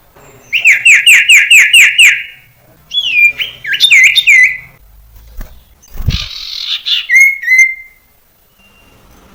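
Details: Common iora song used as a lure to train young captive birds to sing: a quick run of seven bright, even notes, then sweet looping whistles, a brief harsh burst and a final clear whistle.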